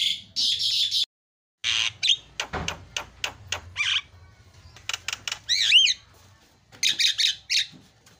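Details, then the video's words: Javan myna giving an 'isian' filler song meant to draw other birds into song: harsh rasping bursts broken by a brief gap, sharp clicks, and a sliding whistled note partway through. "JALAK KEBO KICAUAN PALING KREN SUARA ISIAN"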